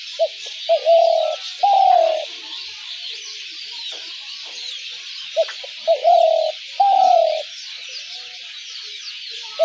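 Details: Spotted dove trap-lure call repeated twice, each phrase two quick short notes followed by two long rolling coos, the final coo dropping in pitch, separated by a few seconds of hiss.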